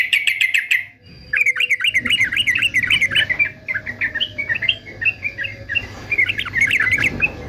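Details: Fighter male yellow-vented bulbul, used for singing training: a few sharp, clipped notes, then long runs of quick, wavering, bubbling warbles that repeat several times per second. A steady low hum sits in the background.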